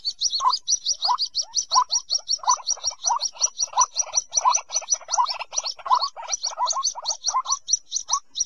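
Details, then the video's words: White-breasted waterhen giving a fast, unbroken series of harsh, croaking notes paired with squeaky high chirps, repeated more than once a second throughout; a recording made for bird trapping. "Tiếng Quốc Bẫy"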